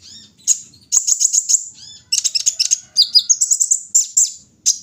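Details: Taking the morning dew, a kolibri ninja sings bursts of rapid high chirps separated by short pauses, each burst a tight, ringing series of sharp notes.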